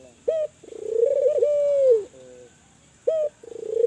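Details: Actively calling spotted dove, Kelantan type, used as a lure to stimulate other spotted doves to call. Gives a short clipped note, then a long, soft, rolling coo that swells and falls, and a lower trailing note; the pattern then begins again. A steady high hiss runs throughout.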